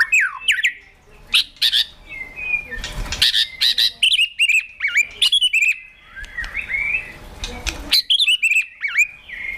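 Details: White-rumped shama kept in a cage, excited into fighting song: varied whistles and sharp slurred notes in short bursts, mixed with noisy scraping and rustling sounds.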